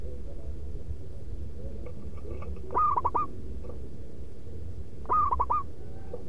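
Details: Loud rhythmic zebra dove song for luring: a faint soft phrase, then two crisp phrases about two seconds apart, each a rapid run of clipped cooing notes finishing in a rolling trill, with a low hum underneath.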